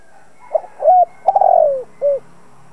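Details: Decoy spotted dove cooing to provoke other doves into calling: a short phrase of low, hollow coos, two brief notes, then a longer drawn-out falling coo and a final short rounded note, over a quiet background.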